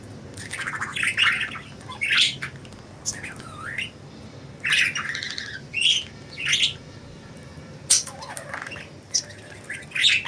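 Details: Free-flying budgies in loud, harsh squawks and raspy chirps coming in bursts about every second or two, some notes sliding down in pitch, with quieter chatter between them.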